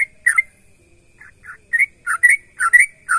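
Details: Lively sooty-headed bulbul song meant to make other bulbuls answer: an opening phrase, a near-silent pause with soft notes, then a run of rising, liquid two-part whistles about twice a second, background quiet.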